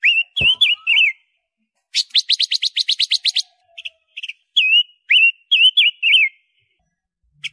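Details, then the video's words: A silver-eared mesia sings loud, clear, looping whistled phrases, broken midway by a quick run of about ten sharp chattering notes; otherwise quiet. "SUARA BURUNG ROBIN PANCA WARNA, Si kecil bersuara lantang"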